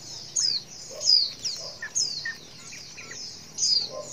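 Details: Female white-eye calling for males to respond: a lively series of high, thin, falling chirps mixed with soft lower notes.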